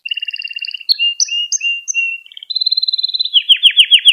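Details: Canary performing a training song for young canaries: a fast chattering series, rising whistled slurs repeated every few tenths of a second, a steady trill, then loud repeated downward sweeps.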